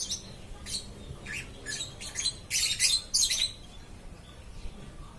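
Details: Nonstop lovebird chirping: quick, scratchy chirps in an irregular run, growing louder and denser into grating squawks midway before fading to quiet.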